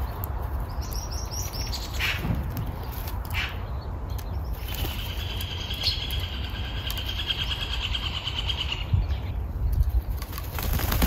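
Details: A young, hand-raised Oriental magpie, found fallen by a roadside, just woken from a nap and flapping its wings, gives short harsh calls, then a long raspy screech lasting several seconds, over a low traffic rumble.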